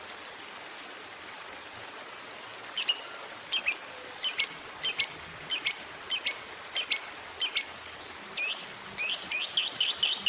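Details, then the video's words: Lovebird prompting recording aimed at making other lovebirds sing long trills; spaced high squeaky chirps come steadily, grow doubled and louder, then quicken into a fast chattering burst at the end. "PANCINGAN Love Bird Biar CEPET BUNYI! 7 Hari Langsung Ngekek Panjang"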